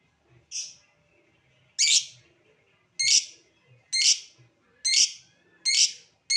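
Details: Calling lovebird, ngetik leading to ngekek chatter, sound said to trigger other lovebirds to respond: seven sharp, rasping high notes, roughly one a second, with silence between them.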